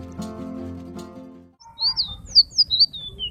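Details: Blue-and-white flycatcher (selendang biru), found in Java, Sumatra and Kalimantan, gives a quick run of about six high, thin whistled notes, each slurred up or down, after a short stretch of background music.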